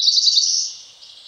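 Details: Cerulean warbler song from Ozark Plateau streams in Missouri: a loud, very high rapid buzzy series of notes lasting under a second, fading into soft background noise.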